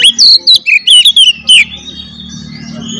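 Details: Oriental magpie-robin in provoking fighting song: about eight loud, quick whistled notes, some curling down, some rising, in a rapid burst, followed by a faint thin hiss.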